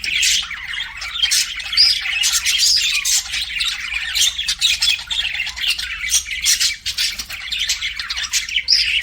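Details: Group of pet budgerigars chirping and squawking in a steady scratchy warble, sharp high notes dotting a constant busy chatter with a few short lulls.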